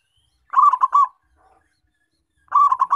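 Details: Local zebra dove singing actively, sound intended to lure wild birds: a stuttering phrase of rapid, soft cooing notes, a pause, then the same rolling phrase starting again. No other sounds.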